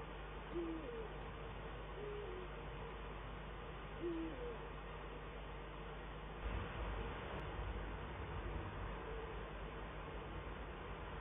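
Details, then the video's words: Eurasian eagle-owls, male and female, duet at the nest in the Eifel on 22 December 2012: a few low hoots in the first half, then a brief rustling thump amid steady hum. "Uhu Eifel 2012-12-22 Man op nest en bij tak "downstairs" - duetten Man en Vrouw"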